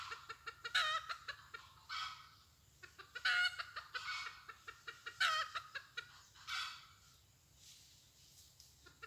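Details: Red junglefowl hen, newly used and untrained, kept as a decoy to catch wild junglefowl. Harsh, loud clucking bursts come every one to two seconds, with quicker soft clucks between them, over a steady low hum.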